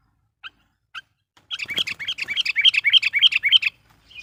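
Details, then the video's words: Sooty-headed bulbul used as a lure (pikat) to excite wild birds: two short separate chirps, then a fast, steady string of rich bubbly whistled notes for about two seconds, with a low rustling thump at the start. "suara burung KUTILANG GACOR GARUDA bikin emosi kutilang liar"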